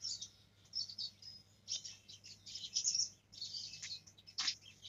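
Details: Young black-throated canary attempting the ngerol rolling song, a continuous stream of very high, squeaky twittering notes in clustered phrases with a couple of brief downward slurs, over a low steady hum.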